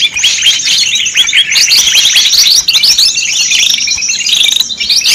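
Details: White-eyes used as a lure to call in wild birds: a dense, busy chorus of high, thin chirps and short twittering notes from many birds overlapping without pause.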